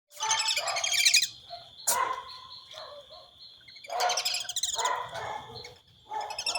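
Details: Brazilian teal in Brazil giving loud, harsh, buzzy calls in bursts about a second long, separated by short gaps, over a steady high insect drone.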